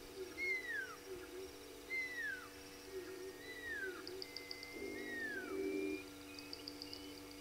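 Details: Nightjar at 01:18 at night on 23 May 2022, at Gowrie dam waterhole, Djuma Game Reserve, Sabi Sand, South Africa: clear, slurred whistles dropping in pitch, repeated about every one and a half seconds, over a steady low hum and faint insect chirping.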